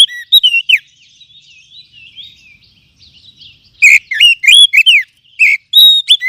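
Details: Kacer, the oriental magpie-robin, in lure song (pancingan) meant to spur other kacer: soft, quick, warbling chatter gives way to a bright burst of sharp, slurred whistles in rapid succession, around three per second.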